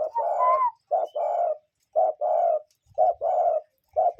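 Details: Cuckoo calling outdoors: repeated low, hollow paired notes, a brief note followed by a longer one, given in quick succession with a few soft knocks in the background.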